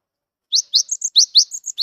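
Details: A young, wild-caught cinereous tit sings actively with quick, bright, high notes, alternating rising swept chirps with brief whistled ones, about five per second. No other sounds.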